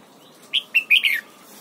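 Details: Red-whiskered bulbul in morning song during voice training, giving a double-note wild-style phrase: four quick bright whistled notes, rising then falling, in about 0.7 seconds, over a faint steady hiss.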